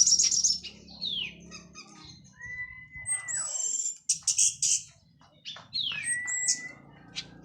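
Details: Orange-headed thrush, local Cililin bird after moulting, in 'plong' and 'teler' singing: fast high chips, slurred descending whistles and two long level whistles, over a low background hum.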